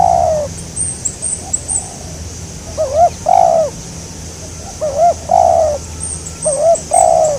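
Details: Spotted dove, known locally as tekukur, calling during a bird-trapping session aimed at a local wild bird: low hollow coos in short groups of two or three notes, each bending upward then dropping, about every one to two seconds, with faint high chirps behind.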